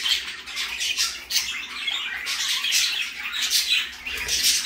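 A parakeet gives a run of harsh, high, scratchy squawks and chirps, roughly one a second, indoors.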